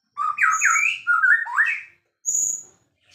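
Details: White-rumped shama, a singing bird kept as a champion songbird, giving two loud rich warbled phrases of rolling slurred whistles, then after a pause a single thin high whistle.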